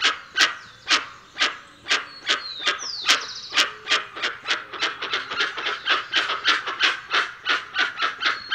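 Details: Dusky-legged guan calling in rapid, harsh, repeated barks that speed up toward the end, with thin whistled notes from another bird in the background.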